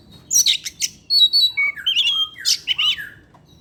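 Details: Oriental magpie-robin, a kept bird singing in the afternoon as a lure sound, sings varied whistled phrases: clear steady notes, then falling and rising slurs and buzzy bursts, in a quiet room.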